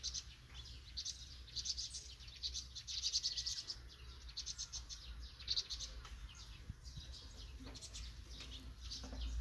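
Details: Vinous-throated parrotbill fledglings setting out from the nest, Banghak-dong, Dobong-gu: scattered high chirping in loose bursts, stronger early then thinning, against steady low-pitched background noise.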